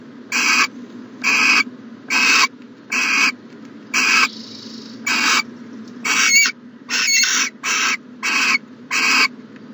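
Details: Owl in its nest box in the morning, January 2020. About eleven rasping, hiss-like bursts repeat roughly every three quarters of a second, with a faint softer hiss between them and a constant low background hum.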